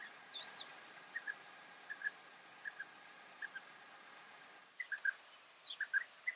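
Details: European bee-eaters in the Camargue, France, in May 2018: short rolling notes given in pairs roughly every half second, then a livelier burst of several overlapping calls, with one higher wavering note near the start.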